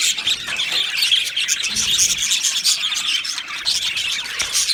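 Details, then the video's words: Aviary flock of Australian budgerigars, 12 July 2025, chattering nonstop: a busy wash of sharp chirps, squeals and warbled twitters from many birds at once. "Australian Budgie Chirping Sounds"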